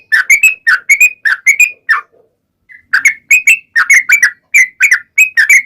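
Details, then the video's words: Lure song of a gacor trucukan (yellow-vented bulbul) with long ropel phrases: rapid liquid whistled notes rising and dropping, a brief pause midway, then the bubbly run resumes. "KICAU SUARA trucukan gacor ropel panjang pancingan trucukan agar bunyi MENJADIKAN trucuk gacor NYAUT"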